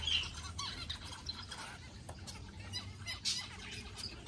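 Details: Zebra finches, kept together with a Gouldian finch, give short, nasal, squeaky calls, several birds overlapping in quick irregular bursts, with a faint low rumble behind.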